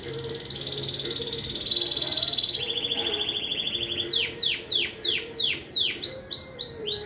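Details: Competition song of a domestic canary in Juiz de Fora, Minas Gerais, Brazil: a long even rolling trill held for several seconds, breaking into loud repeated downward-swooping notes, with a low background hum.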